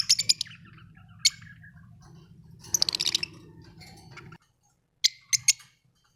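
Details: Lovebirds chirping: bursts of sharp, high, clicky chirps in quick clusters at the start, near three seconds and near five seconds, separated by quieter gaps with a low background hum.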